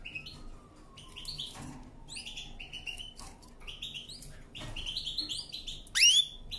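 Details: Canary singing, kept for training: scattered short chirps and upslurred notes high in pitch, a long faint descending whistle early on, ending in a louder rising sweep; quiet low background hum.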